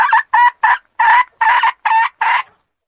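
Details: Red junglefowl lure call: a series of eight short, hoarse, clucking notes delivered at a steady pace over about two and a half seconds, each a rough burst with a slight rising inflection, on a quiet background.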